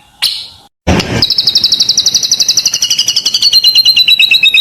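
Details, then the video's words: White-rumped shama song meant to lure and excite other birds: a single high note, a brief noisy burst, then a long fast steady trill of high notes that drifts lower and splits into two lines. "SUARA MURAI BATU GACOR UNTUK PANCINGAN BURUNG"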